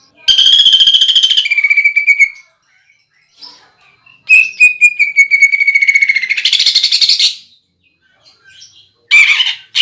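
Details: A greater green leafbird delivers repeated bursts of fast, rough rattling notes mixed with clear steady whistles, in a lure recording of its "pelatuk bawang" woodpecker fill prized in song contests.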